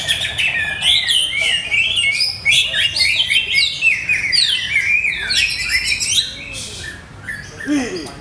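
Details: Greater green leafbird kept by an owner who is still adjusting its setup: a lively, varied run of whistled slurs, chips and chatter, rising and falling fast, with steady low background noise and brief faint voices.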